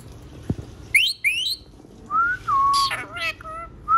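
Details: A green pet parrot gives a series of whistled notes, some sharp and rising, others smooth and level, mixed with brief buzzy harsh bursts, after a short spoken remark and a click.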